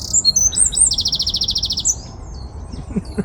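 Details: Eurasian wren singing in Childwall Woods, Liverpool, England, behind a person being interviewed; loud, voluble high song with sharp twittering notes, then a fast even trill of about a dozen notes, fading into quieter background.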